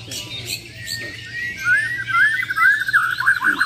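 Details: Champion Bornean white-rumped shamas of the Muara Wahau line, in a competitive mental-test face-off: after quiet hum, a fast run of buzzy whistled notes swells up and continues to the end.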